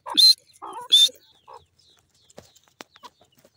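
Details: Grey francolin, known locally as dakhni teetar, calling twice in loud, shrill, piercing notes about three-quarters of a second apart, with softer lower notes between them and faint clicks afterward.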